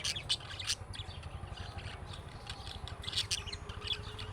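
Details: Budgerigars giving chick-style calling chirps meant to prompt other budgerigars to answer: bright, buzzy chirps in short bursts, repeated irregularly over a steady low hum.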